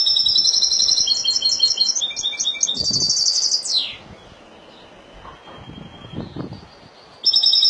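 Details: Spanish goldfinch singing in the Malaga song style: high, buzzy twittering trills with rapid repeated notes for about four seconds, ending in a downward sweep. A pause with faint background noise follows, then the song starts again briefly.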